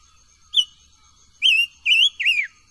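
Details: Silver-eared mesia voice-training song: a short opening whistle, then three loud slurred whistled notes in quick succession, the last dropping steeply in pitch.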